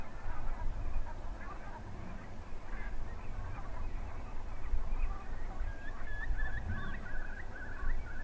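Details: Flock of Brent geese (Branta bernicla nigricans) feeding on eelgrass at Stiffkey saltmarshes on the Norfolk coast, keeping up a continuous, overlapping chatter of short, gargling 'rronk' calls over a heavy rumble of wind.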